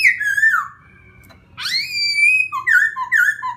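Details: Whistled song of a laughingthrush, used to provoke another bird: a falling slurred whistle, a pause, a strong rising note with rich overtones held level, then short dipping whistles in quick succession.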